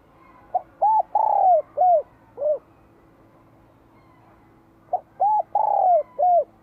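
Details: Bell-voiced spotted dove from Vietnam, spring 2023, sings two deep cooing phrases of five notes each. Each has short hooted notes around a longer, falling drawn-out coo. A steady low hum runs beneath.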